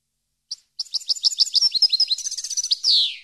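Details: European goldfinch song used to educate captive birds: a single chirp, then rapid rhythmic twittering notes building into a high trill and ending with a falling, buzzy drawn-out note.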